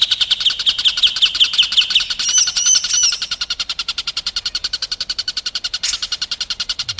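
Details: Contest-training song for White-rumped shamas: a sharp, rolling trill with clear whistled accents, a few high slurred whistles, then a long, steady run of fast, even ticking notes.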